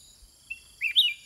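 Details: Caged sooty-headed bulbul countersinging with wild birds: a faint short pip, then a loud bubbling phrase of two whistled notes climbing in pitch, with an insect drone throughout.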